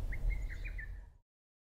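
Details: In June after 4 a.m., a lesser cuckoo (Cuculus poliocephalus) gives a quick burst of five or six loud, whistled notes at a mid-high pitch, stuttering and jerky, over a low rumble of background noise.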